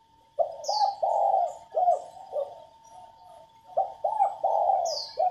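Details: Female spotted dove calling to stimulate males to coo faster and more often. Two groups of low throaty coos, the notes short and clipped with one drawn out. High chirps sound near the start and end over a faint steady hum.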